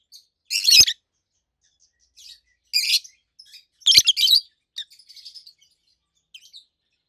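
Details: Two adult rosy-faced (peach-faced) lovebirds, a red-head green opaline and a white-head pallid aqua opaline, kept as pets; loud, high, harsh chirps in short bursts at irregular intervals, with softer chatter between, otherwise quiet.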